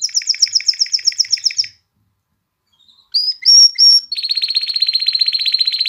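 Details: Song of a canary, used to excite females into mating and prompt chicks to sing: a fast high pulsed trill, silence, two or three loud clear whistles, then a long even rapid trill.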